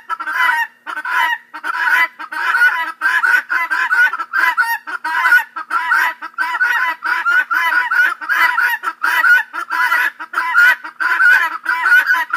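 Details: Several guineafowl calling together in a loud chorus, a steady stream of rasping, squeaky two-part cackles repeated rapidly and almost continuously, voices overlapping with few pauses.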